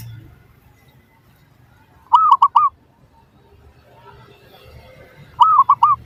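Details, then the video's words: Zebra dove song used as a lure to provoke replies from other doves: two clear phrases about three seconds apart, each a longer arched coo then two or three quick clipped coos, over steady low background noise. "PANCINGAN Burung Perkutut Suara Paling Ampuh"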